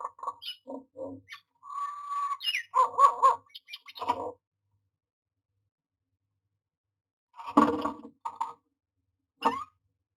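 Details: Nesting myna at a nest box, dated 09-06-2022, giving a burst of short squawks and a held nasal note, then harsh grating calls, a long silence, and a final pair of rough chattering bursts.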